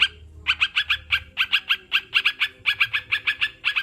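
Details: Sooty-headed bulbul giving a steady stream of bright, clipped chirps, mostly in pairs and threes, after a short quiet start. Intended as a therapy track for kept birds. A low murmur continues underneath.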